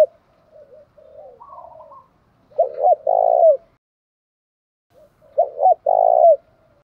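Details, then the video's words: Soft warbling notes lead into two strong spotted dove coo phrases, sung in the thổ pha đồng voice style, each a brisk double note then a long burry, slightly falling coo. "cu gáy giọng thổ pha đồng"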